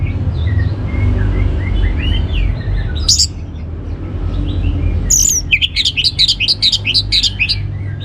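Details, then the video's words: Orange-headed thrush, known locally as anis merah, singing as a lure meant to make other birds sing; soft varied whistled phrases, then a burst of loud rapid high chirping notes, over a steady low hum. "ANIS MERAH Cor Suara Penggoda Membuat Burung Kenceng Jadi Ngeplong Lanjut Teler"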